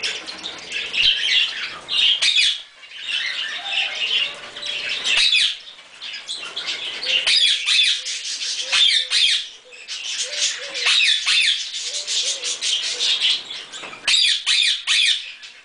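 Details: A pair of pet Quaker parrots eating a strawberry give bursts of harsh, scratchy squawking chatter, loud in stretches of one to three seconds with brief quieter gaps, plus a few faint low tonal notes.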